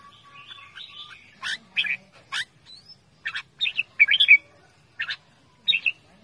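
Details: Loud calling from a caged red-whiskered bulbul: scattered sharp chirps and harsh squawky notes in short bursts, separated by brief gaps, with one thin rising whistle.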